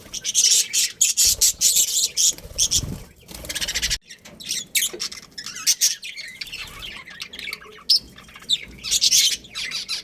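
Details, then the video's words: Budgerigars in a breeding colony with a breeding pair, giving harsh, buzzy chirps in dense overlapping bursts with brief pauses, a lively flock chatter throughout. "Cute Budgies Chirping Sounds"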